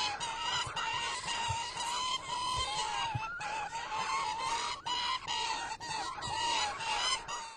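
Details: Gyrfalcon (Falco rusticolus) giving harsh, nasal, drawn-out calls in long runs with only brief breaks, over faint background rustle.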